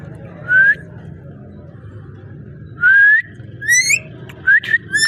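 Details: Ringneck parrot giving clear, short rising whistles separated by pauses, the later ones followed by harsher squawky notes and a click; soft hum in the background.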